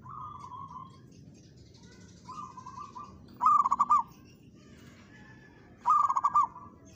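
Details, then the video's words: Zebra dove of local stock, singing hard while answering a rival: soft, level cooing phrases first, then two loud, bubbling bursts of five or six rapid coo notes about two and a half seconds apart. "perkutut lokal gacor menantang lawan ikut bunyi!!"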